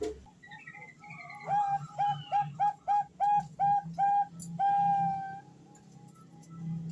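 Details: Calling female Bangkok zebra dove summoning a male: soft opening notes, then a regular series of about eight clipped coos and a long steady final note, with a low hum underneath.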